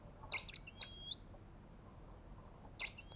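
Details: An Olive-backed tailorbird gives one crisp phrase of clicks and a high level whistle easing into a lower tone, then silence before a brief new burst begins at the end.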